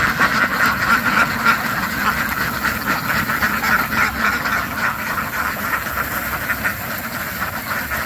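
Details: Ducks quacking in a dense, continuous chorus of rapid, overlapping nasal quacks, about three or four a second, over a steady noisy background.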